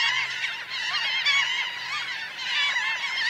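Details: Large Laughing gull flock, around 1000 birds, on the ground and in the air: a constant wash of overlapping cries with rising and falling pitch, steady in loudness throughout, with a faint low hum beneath.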